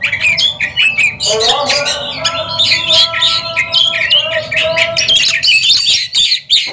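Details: Competing Oriental magpie-robins in a song duel deliver rapid, jumbled high phrases of chirps, trills and slurred whistles, nearly continuous, over a faint sustained tonal hum.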